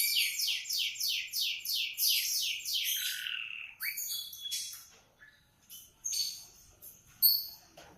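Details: Morning song of a canary: rapid repeated downward-sweeping notes for three seconds, a lower rolling phrase, then sparse short chirps and a final sharp high note.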